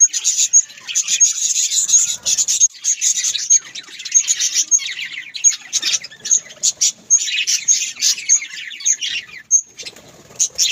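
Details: Pet budgerigars kept as Australian parrots: a dense, busy warbling chatter of overlapping high chirps and twitters, with short pauses and bright sharp clicks running through the stretch.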